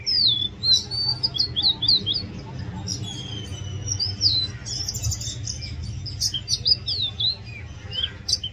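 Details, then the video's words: Oriental magpie-robin singing loudly: a rapid, varied stream of high whistled notes, sharp upward and downward sweeps and brief chattery trills with short pauses, over a steady low background hum. "Oriental magpie robin Song"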